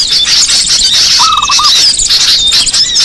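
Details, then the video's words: Lure calls of small birds, an unbroken wash of high chirps and trills with a faint thin whistle, broken once by a quick run of five lower, hooked notes. "Suara pikat burung kecil paling ampuh"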